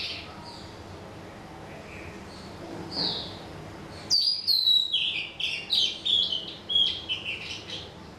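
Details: Songbird giving a lively run of high, sharp chirps and whistled notes, first soft and scattered, then from about four seconds a rapid series of loud, clear bright phrases repeated several times a second.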